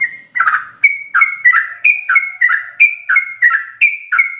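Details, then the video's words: Sooty-headed bulbul singing rapid 'ropel' style with full phrases, meant for tutoring captive birds: quick pairs of a clear high whistle and a lower rough slur, repeated about every third of a second. "Ropelan trucuk gacor full isian"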